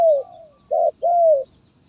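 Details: Spotted dove in 'gagap tindan' sepatah song, 23 January 2022: a long falling coo, then a short blunt coo and another long slurred coo, deep and hollow against quiet background.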